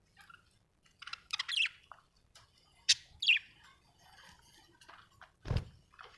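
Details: Budgerigar described as happy, giving scattered chirps and a few sharp squawky notes with soft warbling between, and a low knock near the end.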